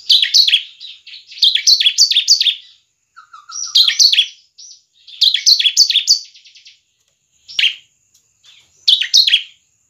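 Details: Bar-winged prinia (ciblek) song used to train other birds: repeated phrases of rapid sharp descending chirps in loud bursts, with brief pauses and a short low whistle between phrases.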